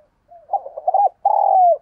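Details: Decoy spotted dove calling to lure wild ones. A faint lead-in note is followed by a rapid run of clipped coos, a pause, then a long, smooth, gently falling coo.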